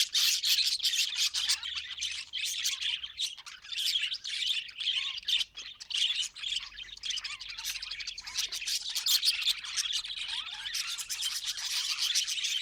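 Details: Pet budgerigar chatter: continuous rapid, scratchy warbling and chirping, dense and unbroken for the whole stretch, with frequent sharp clicks and squeaks.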